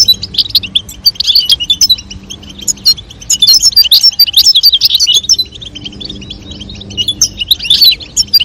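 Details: Male European goldfinch singing with a female calling, a courtship exchange to stimulate mating: continuous high, chattering twitters in repeated waves, brief pauses between bursts over eight seconds.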